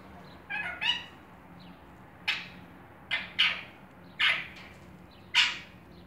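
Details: Pet Indian ringneck parakeet, 13 months old, giving short harsh squawks in separate bursts, about six over six seconds, each quickly fading, against a quiet indoor background.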